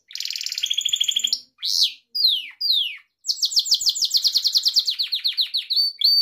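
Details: Gloster canary singing as a training recording for pet canaries: a fast rolling trill, a few loud swooping downslurred notes after brief pauses, then a long rapid series of repeated chirps.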